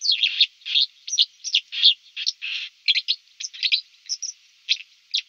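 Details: White-throated dipper singing at the Lieser river in Wittlich, 2019: a fast, scratchy, high warble of tumbling chirps and trills with brief gaps, close and loud, no background noise.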